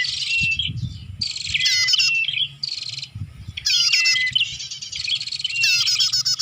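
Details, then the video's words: Prinia lure sound: loud, harsh, buzzy bursts with rapid chattering notes, in phrases about every one to two seconds, separated by short pauses, over faint low noise. "Suara Pikat Burung Prenjak"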